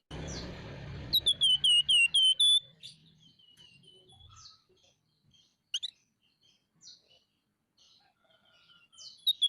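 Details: Scaly-breasted munia in lively, chattering 'nyerecet' calling: a rapid series of about eight clear downslurred whistled notes, roughly four per second, then scattered thinner high chirps over quiet background with faint low rumble at start.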